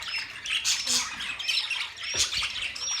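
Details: Budgerigars give short, harsh squawks and high chirps in busy flock chatter, with thin rising whistles between the notes.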